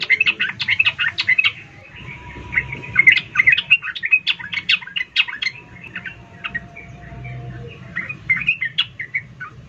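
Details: Female sooty-headed bulbul calling to a male in an excited chattering manner, used to lure lazy males into singing: a dense, continuous stream of sharp chirps and squeaky notes with almost no pause, over a faint low rumble.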